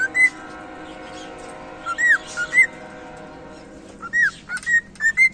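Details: Whistled cockatiel song in three bursts, each made of bright up-and-down slurred notes, with quiet gaps and a faint background hum between them.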